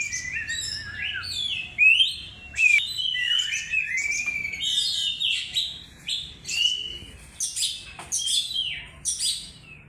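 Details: Oriental magpie-robin song used as a lure: rich, varied whistled phrases, sliding and warbling, with sharp high notes and short pauses, delivered continuously over a quiet background.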